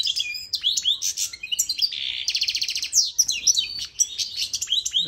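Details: Song of a goldfinch mule kept for tutoring young birds, dense and varied: sharp descending chips, a rapid rattling trill in the middle and bright whistled slurs throughout.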